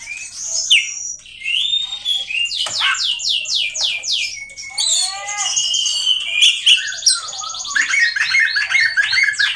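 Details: Oriental magpie-robin pouring out a continuous rich song. A run of quickly repeated descending whistled sweeps is followed by rising slurred notes and fast, shrill, varied trilling that barely pauses.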